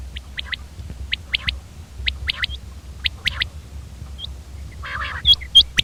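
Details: Common quail calling: sharp three-note phrases, a short first note then a quick pair, repeated about once a second over a low background hum, ending with a burst of jumbled chirps and squeaky notes.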